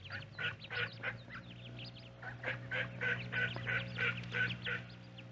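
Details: Duck and ducklings at a pond: rhythmic harsh quacks, about three per second, mixed with many thin, high, rising peeps from the young birds over a steady low hum.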